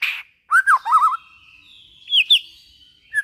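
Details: White-rumped shama phrase meant to spur other shamas into song: a wavering whistled warble, then two bright higher notes after a pause.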